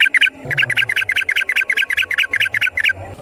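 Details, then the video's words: Yellow-vented bulbul singing in the wild in long rapid-run style: a brisk, steady string of about fifteen bubbly, chattering notes over soft low background rumble. "Trucukan GACOR ngalas ROPEL PANJANG suara alam"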